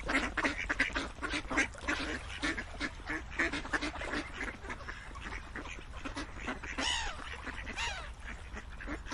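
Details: Rough, repeated duck quacks in quick succession, with a couple of longer wavering, drawn-out calls near the end over the continuing flock chatter.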